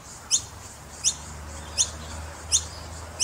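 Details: Noisy miner chicks in Brisbane: five shrill, short high notes spaced about 0.7 seconds apart, bright and clipped, over soft background noise.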